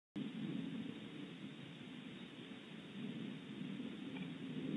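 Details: Steady rain with a low rumbling background carries on after a sudden start.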